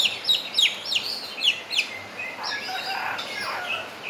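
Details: Javan myna song with imitation of a crowing rooster: five quick, sharply descending whistled notes, then a lower, broad, warbling drawn-out phrase like a distant crow, ending with a short high note.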